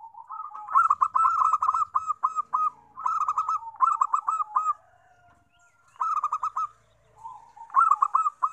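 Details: Zebra dove lure song for attracting wild doves: loud, rapid bursts of clipped, rolling coos in several phrases separated by short quiet gaps and a soft, lower drawn-out tone.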